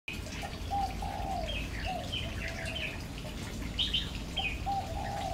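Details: A male Oriental magpie-robin on Lamma, Hong Kong, 5 November 2015, sings varied, clear whistled phrases, some low and slurred, others high and sharp, over a steady low rumble of background noise.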